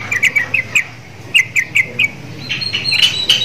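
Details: Sooty-headed bulbul kept in a cage near Javan mynas, said to copy their voice, gives paired sharp chirps in two short bursts, followed by a higher, denser squeaky run of notes.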